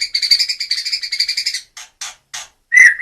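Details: Medan white-rumped shama giving a fast series of high buzzy ticks, then a few spaced harsh notes and a final bright whistle.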